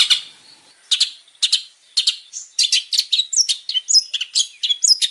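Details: ['Lively male long-tailed shrike song used as a lure to start other birds singing; scratchy chips at first, then a quickening run of sharp high whistles and slurred squeaky notes, very varied.']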